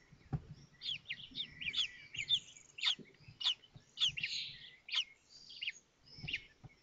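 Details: Common kestrel chicks at a nest in Théding, France, on 19 May 2024, as the fifth chick hatches while its siblings are fed; a series of short high chirps and squeaky notes, with faint low rustling.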